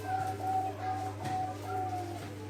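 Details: Bangkok-type zebra dove song, a run of four level, even coos at a steady pace, heard against a constant low hum and faint background voices.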